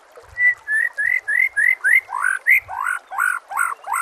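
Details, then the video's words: White-rumped shama song used as a training recording for captive birds: a rapid run of short rising whistled notes around two per second, becoming doubled, richer phrases toward the end. "MASTERAN SPESIAL TAHUN INI AUDIO JERNIH KOMPILASI MEWAH UNTUK SEMUA JENIS BURUNG MURAI BATU"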